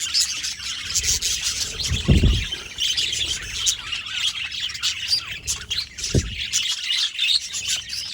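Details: Pet budgies giving continuous chattering chirps, a dense warbling stream of high twittering notes from more than one bird, with two brief low thumps.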